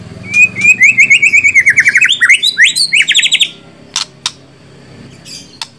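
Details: White-rumped shama singing: a fast run of bright, wavering notes that climbs into a series of rising sweeps, then a few sharp clicks and brief ticks before quiet.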